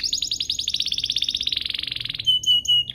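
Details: Domestic canary song meant to trigger other canaries to sing: a long rapid pulsing trill slowly dropping in pitch, followed by three clear sustained whistled notes.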